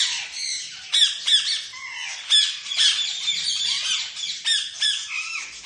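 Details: Lovebirds calling: a dense, continuous chorus of shrill, high-pitched squawks and chirps overlapping one another, with sharper louder bursts at irregular intervals.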